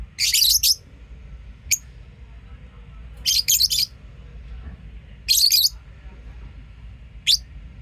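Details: Lovebirds kept as pets, chirping: bursts of shrill, high, scratchy chirps roughly every two seconds, with brief single sharp notes between them, over a low steady background hum.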